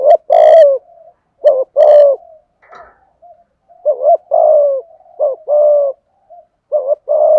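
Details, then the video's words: Spotted dove giving its complete song in 'giọng thổ' style, 'thúc gù': deep soft coos in short-long pairs, with a brief clicking rustle and a faint sharper note partway through. "cu cườm gáy đủ bài giọng thổ"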